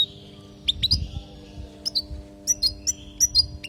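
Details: European goldfinch from Palestine singing a 'language' song used to teach young goldfinches: short bright chirps and clipped twitters in quick clusters, spaced by brief pauses, over a steady low electrical hum.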